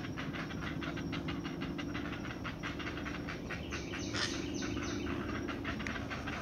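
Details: Great blue heron nestlings calling before feeding, expecting their mother with food: dense, rhythmic rattling chatter of scratchy pulses, steady throughout, against broad background hiss.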